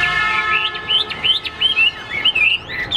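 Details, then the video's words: Hwamei singing in competition display: bright, looping whistled phrases rising and falling rapidly, over a steady mechanical hum. "Đẹp đấu xòe chất giọng cực hay l Hoạt Họa Mi"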